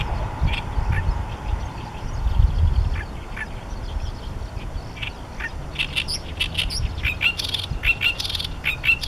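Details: Male Great reed warbler singing territorial song from a favourite song-post, Heijo Palace site, Nara City, Japan, 14 May 2013: harsh grating chatters in quick bursts growing busier, over wind noise and a passing train.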